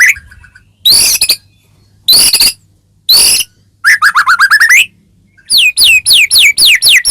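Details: White-rumped shama in full song, meant to stir a caged bird to answer: harsh rasping bursts about once a second, then a rolling run of whistled notes and a fast series of sharp, falling slurred whistles.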